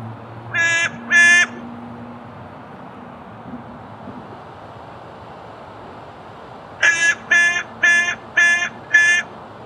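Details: Carrion crow calling: a pair of harsh, nasal caws, then a pause, then five evenly spaced caws about half a second apart, over steady low background hum.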